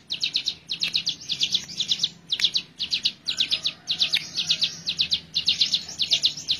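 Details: Hill prinia, a very active singer used as master material for training birds, giving short clusters of sharp, high chipping notes, about two clusters per second, in an uneven rhythm with a quiet background.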